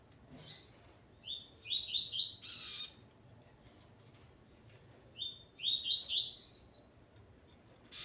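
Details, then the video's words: Male Double-collared Seedeater, accompanied by his female, repeats a bright song phrase twice about four seconds apart: quick ascending chirps rising into a high twittering flourish, with quiet background between. "Coleiro Ponto 50 e sua Fêmea Calibre 40."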